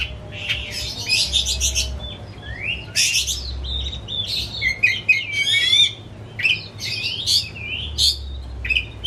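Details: White-rumped shama kept as a household pet sings excitedly with tail spread, mixing loud buzzy bursts, clear whistles and fast descending trills in quick succession.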